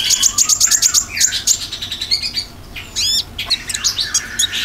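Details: Olive-backed sunbird tembakan lure song: rapid volley of shrill high notes, slurred descending whistles, then a harsh burst of stacked sweeping notes and jumbled excited twittering.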